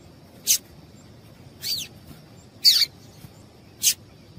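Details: Call of a female yellow-bellied seedeater, played to make the male sing quickly: four brief high notes, some sweeping sharply downward, about one per second, over a thin constant high hum.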